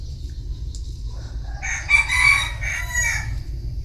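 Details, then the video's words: Somewhat distant bantam cock crowing, a harsh harmonic crow of nearly two seconds rising from a quiet start, over constant low rumbling noise. "Tiếng gà tre gáy"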